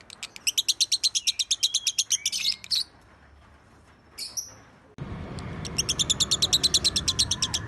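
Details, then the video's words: Champion lovebird 'masteran' tutor song: fast high chattering chips for two and a half seconds, then a squeak and a pause, then after an abrupt cut the chattering resumes over louder, rougher background noise. "Masteran Lovebird"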